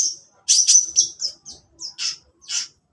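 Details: Morning singing of a long-tailed shrike: a cluster of loud, high, whistled and buzzy chirps followed by evenly spaced sharp notes about every half second.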